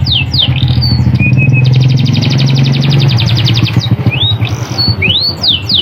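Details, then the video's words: Canary delivering a sharp rolling song, used to trigger lazy canaries into singing and to tutor birds: rising whistled swoops, a brief steady note, then a long dense high trill and more sweeps, over a constant low rumble. "PANCINGAN KENARI GACOR NGEROLL TAJAM, COCOK UNTUK MASTERAN BURUNG"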